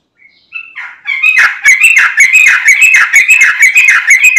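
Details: Singing sooty-headed bulbul used to draw other bulbuls into song, starting with soft, thin whistles that build into a steady rapid run of loud liquid chirps, about two per second.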